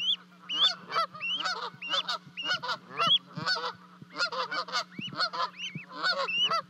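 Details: Canada geese in Charlo, Montana, on 12 May 2020, as two goslings leap from a 30-foot-high osprey nest to join their parents. Rapid, harsh stacked honks mix with high, rising whistled peeps, several each second.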